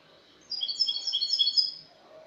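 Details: A Spanish goldfinch performs a burst of 'cante limpio' (clean song), dated 22 August 2018. After brief silence, fast, high, sparkling twittered notes stream together for about a second and a half, then fade into quiet.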